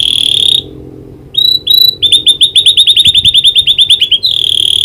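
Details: Canary with a learned prinia clicking call: a buzzy high trill, two whistled notes, then a rapid even run of clipped chirps, closing with another buzzy trill.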